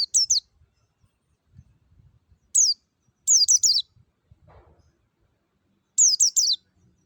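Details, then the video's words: Clear wild white-eye lure song for caged white-eyes: irregular groups of one to four high, down-slurred chirps with long gaps between them, plus one brief lower noise. "PANCINGAN PLECI NGALAS SUARA JERNIH MEWAH"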